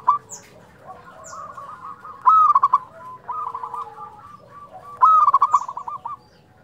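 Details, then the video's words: Persistent local zebra dove song meant to rouse silent or stressed doves; fluted rising coos trailing into fast bubbly notes repeat about every three seconds over fainter doves and a murmur of background noise. "perkutut lokal gacor suara nyuling"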